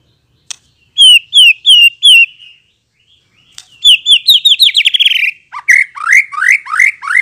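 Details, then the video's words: White-rumped shama song used as a lure to make other shamas answer and sing fully: loud, clear whistled phrases. First come four repeated upslurred notes, then a fast descending run of notes, then a series of rising notes. No other sounds are heard. "RESPON CEPAT, 100% AMPUH memikat MURAI BATU agar NYAUT dan NGEPLONG"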